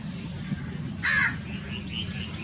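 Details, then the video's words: A house crow in Pakistan gives one harsh, nasal caw lasting about a quarter second, over a steady low background rumble. "House Crow Sounds"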